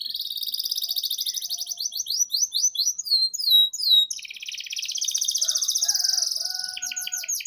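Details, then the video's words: Canary lure/training song for young canaries: a long, rapid, high trilling song of rolling buzzy tours and sweeping whistled slurs, changing phrase every second or two. "PANCINGAN Suara Burung KENARI GACOR Panjang || Masteran KENARI Paud"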